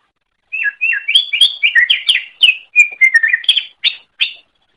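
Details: Song of a greater green leafbird used as a training recording for cage birds: a continuous four-second string of quick, varied whistled notes, some slurred down, some rising, bright and high-pitched throughout.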